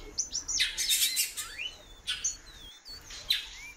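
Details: Female great-billed seed finch calling a lot: thin whistled notes slurring upward and downward, a few spaced through the clip, mixed with bursts of sharp broadband clicks and rustling.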